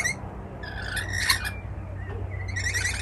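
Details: Rainbow lorikeets, wild birds visiting a Melbourne balcony in Australia, make brief scratchy squawks and a thin rising note. A low background drone runs underneath.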